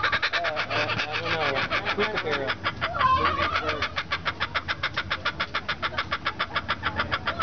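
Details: Laughing kookaburras at the 2011 Temecula Balloon & Wine Festival give a rollicking chorus: gurgling chuckles build into a loud, steady run of harsh 'ha-ha-ha' notes, about three or four a second. A person exclaims briefly.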